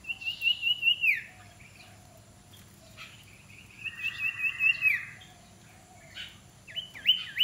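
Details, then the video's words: Common iora in training as a fierce decoy bird: two phrases of rapid whistled notes, each a run of short repeated chips ending in a downslurred whistle, about three seconds apart, with faint background hum. "นกขมิ้นน้อย ฝึกหัดหัยเปนนกต่อสายโหด สายดุ"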